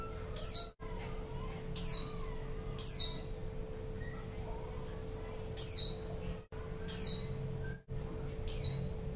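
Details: Female white-eye calling to lure a male, said to draw a quick reply: high thin descending notes near the top of hearing, sharp onset then a fading slur, repeated six times with irregular gaps over a faint steady hum.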